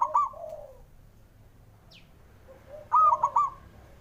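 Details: Zebra dove male call meant to prompt reluctant birds into singing. A bright, ringing triple-note coo opens the clip, then another at about 3 seconds, and quieter low coos sound in the background.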